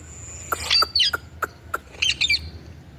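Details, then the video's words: Indian ringneck parakeet uttering a run of short, clipped chirps about every third of a second, mixed with harsh, broken squawks. "Indian Parrot talking And Making Sounds"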